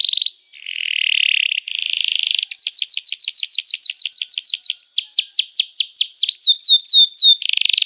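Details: Lively canary singing at length, meant to coax young birds into learning song: a harsh buzzy burst, then long rapid rows of clipped rising whistles about three per second, shifting pitch midway, closing with another buzzy roll.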